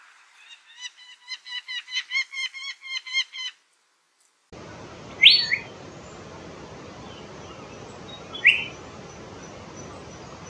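Asian fairy-bluebird giving two sharp, liquid whistled notes about three seconds apart, after a quick run of a dozen bright chirps, over steady background hiss.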